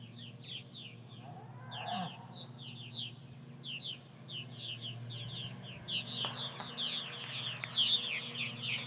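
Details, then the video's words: After several hawk attacks, purple martins give a dense stream of short chirps and gurgled notes, many birds calling together, with a low background hum and a few clicks. "Purple Martins after several hawk attacks"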